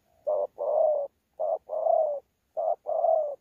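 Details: Wild-caught spotted dove from Sa Thầy, 26 November 2019, kept for cooing contests: three loud two-part coos, a brief note followed by a drawn-out slightly falling coo, roughly once per second, nothing else audible.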